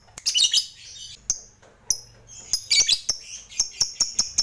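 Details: Lovebird fighter from a lure recording; a burst of scratchy chatter, then scattered squeaky chirps, ending in a quickening series of sharp high notes.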